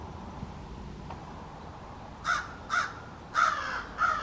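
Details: American crow family in a backyard, calls differing between individuals; quiet start, then four harsh caws in quick succession, the third loudest.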